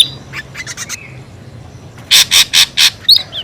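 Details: Lure sound of an ashy drongo: faint scratchy notes, a short quiet gap, then four loud, harsh, grating bursts and a final squeaky upslurred whistle.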